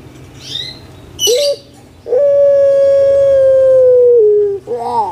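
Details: Caged puter pelung collared dove kept in Indonesia, prized for a melodious, steady voice: short rising note, then a long, steady, slightly falling drawn-out coo lasting over two seconds, followed by a short warbling note.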